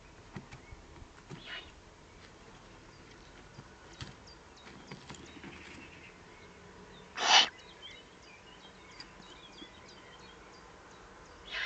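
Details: Eurasian eagle-owl recorded beneath the breeding site in the Eifel, Germany, 31 May 2020; one loud, noisy hissing burst stands out, with a few fainter hisses and scattered small bird calls in the background.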